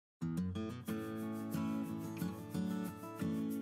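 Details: Plucked guitar-like music with steady sustained chords and repeated notes, with no animal voices heard.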